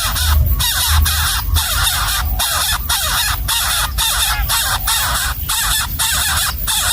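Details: Hungry wild baby bird begging in the nest as its parent feeds it a gecko: loud, scratchy, hoarse calls repeated almost twice a second in an uneven rhythm, with low background rumble.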